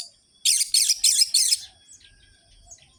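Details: Orange-headed thrush, a lively singer played to stir listless birds of its kind into singing; four rapid, scratchy high chattering bursts in quick succession, then faint softer notes.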